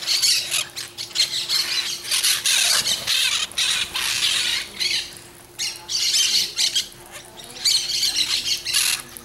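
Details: Peach-fronted parakeet calls: rasping, broadband screeches repeated in rapid runs, loud bursts alternating with short lulls every one to two seconds, over a constant low electrical-like hum.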